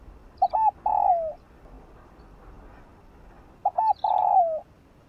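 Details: Spotted dove singing in the morning, full song with calling, urging and cooing parts: a pair of short notes and a drawn-out soft coo that drops at the end, repeated once after a pause of roughly three seconds.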